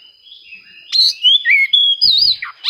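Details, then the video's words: Oriental magpie-robin song for seeking rivals, used to trigger singing in quiet birds; a faint opening, then loud wavering and slurred whistles. "suara kacer mencari musuh, cocok untuk memancing kacer susah bunyi."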